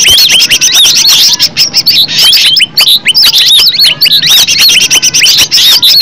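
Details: Energetic green leafbird song from a natural recording intended to get other leafbirds singing: high, ringing whistles looping up and down, interspersed with quick clicks, repeated in a breathless stream.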